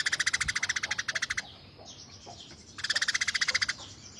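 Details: Tame Eurasian tree sparrow giving harsh, rapid bursts. A fast run of about twenty grating notes lasts over a second, then a quieter pause with faint chirps, then another rapid harsh burst.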